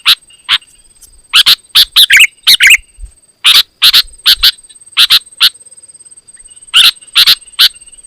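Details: Loud, dense song of a Sooty-headed bulbul used to provoke rival bulbuls: clusters of sharp, emphatic chirps and brief warbled phrases, separated by short pauses, over a faint constant high whine.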